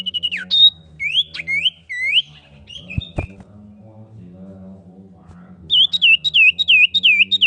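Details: Common iora female calling to the male, giving several loud swooping whistles that dip and curl upward, a sharp click midway, then a quick run of six looping whistled notes, with a constant low hum underneath.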